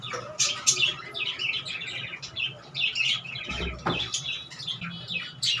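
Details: Pet budgerigars during monsoon season chatter in a busy stream of high, scratchy warbles and quick chirps.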